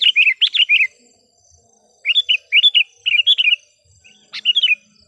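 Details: Sooty-headed bulbul singing as a decoy to call wild birds; short clusters of three or four bright, gurgling notes repeated in quick succession.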